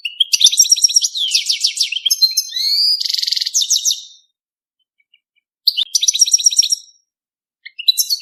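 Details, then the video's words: Mating song of a European goldfinch: a long, unbroken run of rapid twittering with a harsh buzzy stretch in the middle, then a pause and a second lively burst of tinkling notes. No other sounds are heard. "5 دقائق من تغريد الحسون بدون توقف .تزاوج الحسون"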